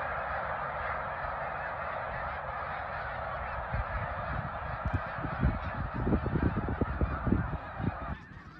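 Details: Snow goose flock at Middle Creek in 2022 calling in a thick blended roar that grows louder and more agitated toward the end before abruptly thinning out.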